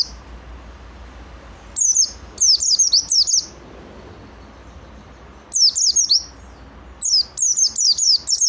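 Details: Oriental white-eye (pleci) singing energetically: bursts of very high, thin, descending whistled notes in quick series, separated by pauses of quiet background.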